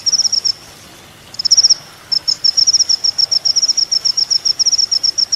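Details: Olive-backed Sunbird (kolibri ninja) on a songbird training recording: a short high chipping burst, a gap, another brief burst, then a sustained fast series of thin ticking notes.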